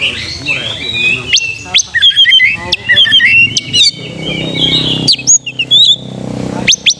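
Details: Fighting-mood lure of an oriental magpie-robin: a long sliding whistle gives way to busy twittered phrases and clipped high notes, with a faint low hum underneath toward the end.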